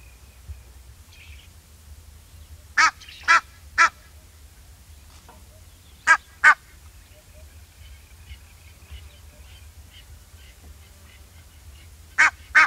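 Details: Egyptian goose giving scattered pairs and triplets of sharp, nasal honks separated by long quiet gaps, with faint twittering and a steady low hum in the background.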